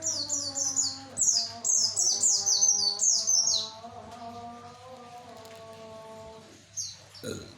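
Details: Javan white-eye song used to call males: a rapid run of bright, high chirps, each sweeping downward, tumbling together for several seconds. A pause follows, then a few more chirps, over a low humming drone.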